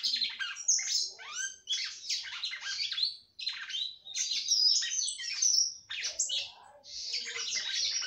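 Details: A female red-cowled cardinal sings a great deal to fire up males: a fast, continuous run of high, bright chirps and sweeping notes with only brief pauses, nothing else heard.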